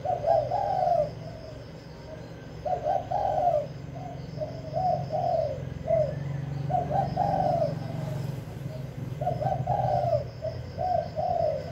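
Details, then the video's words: Caged spotted dove from Vĩnh Long, Vietnam, singing as a decoy for wild birds, delivers phrases of two or three deep coos roughly every two seconds over a steady low rumble. "Cu gáy kích bổi mau nổi"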